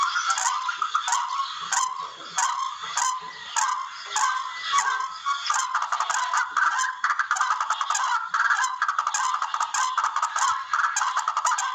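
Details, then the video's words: Barred rail (tikling), call used in bird hunting: harsh, nasal, honking calls in a dense, uneven series of about one and a half per second, the notes often overlapping. "TIKLING SOUND EFFECT"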